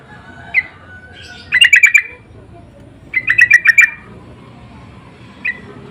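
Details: Sooty-headed bulbuls in an insistent exchange of lure calls: two bursts of five or six fast, harsh chattering notes about two seconds apart, framed by single short notes near the start and end.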